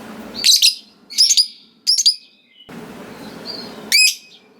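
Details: Lovebird calling in the kind of lively chatter used to spur rivals to answer: a few loud, high, twittering chirps in separate bursts roughly every second, with soft background hiss between them.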